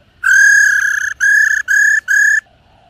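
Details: A female black-throated laughingthrush calls rò: a long buzzy, nasal note followed by three shorter ones at the same level pitch, evenly spaced and ending in quiet.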